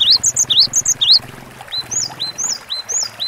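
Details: Cinereous tit singing loud rising whistles coupled with high notes, then shifting to softer, evenly spaced falling two-note phrases, about two per second, with low background rumble.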